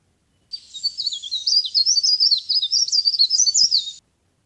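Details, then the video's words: Leaf warbler (cikrak daun or pare pare), used as a lure sound for trapping. Three and a half seconds of continuous fast, high, twittering warble made of many short zigzag notes, with a faint click in the background. "CIKRAK DAUN GACOR | CIKRAK DAUN PIKAT | SUARA PARE PARE GACOR"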